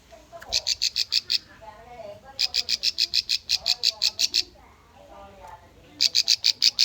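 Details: Bar-winged prinia song as a training lure for young birds: long, fast runs of shrill, clipped notes, about three per second, in three strings lasting up to two seconds. Quieter warbling sits underneath.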